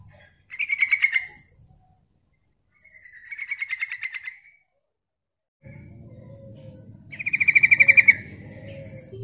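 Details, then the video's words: Female yellow-vented bulbul calling as a lure for other birds: three bursts of rapid bubbly chatter with thin high squeaks, the last over a low rumbling hum. "Suara Panggilan Trucukan Betina Gacor Mancing Nyaut"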